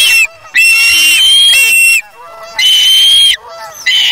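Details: Osprey chick at its nest on August 3, 2017, snatching fish from its parent; drawn-out, strained, high squealing whistles in three long bouts, slightly falling in pitch at the ends.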